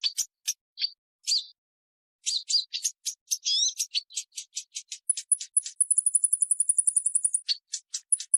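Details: Purple-throated sunbird giving sharp high chips and short buzzy notes, then a fast, even, very high trill of rapid ticks lasting about two seconds before a few final chips; no other sounds.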